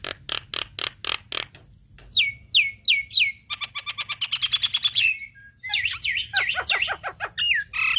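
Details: Javan myna singing energetically, as a tutor recording for songbirds: evenly spaced dry clicks, then downslurred whistles, a fast accelerating chatter, and finally a varied jumble of squeaky, warbling whistles.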